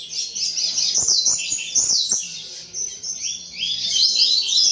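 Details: Several caged double-collared seedeaters at a breeder's aviary sing at once, a continuous high, twittering and buzzy jumble of rapid notes with short rising and falling phrases, accompanied by a few soft thumps.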